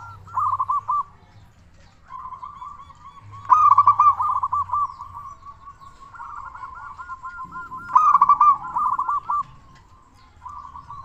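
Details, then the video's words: Zebra dove of a local type, a persistent loud singer used as a lure: looping trilled coo phrases repeat several times with short gaps, two louder peaks standing out, beside a faint low hum. "Perkutut Lokal Gacor Suara Besar Pancingan Burung Perkutut Agar Cepat Bunyi"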